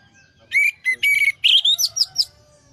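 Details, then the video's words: Orange-headed thrush song meant to lure stressed, silent birds back into singing: about eight loud, quick whistled notes in rapid succession, the last ones rising in sharp upslurs, with low background rumble. "pancingan Anis merah setres dan macet bunyi"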